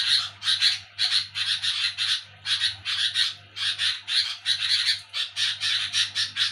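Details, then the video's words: Noisy night-time chattering from a sooty-headed bulbul: grating, rasping bursts grouped in clusters of two or three with short gaps, over a soft low hum. "Di Saat Orang Pada Tidur Burung Kutilang Bunyi Nyerecet ribut di malam Hari"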